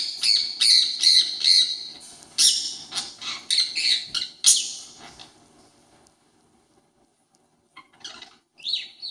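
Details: Parakeet copying a conure's noises, giving rapid, grating squawks about two or three per second for several seconds, then a quiet pause before a few fainter, higher calls.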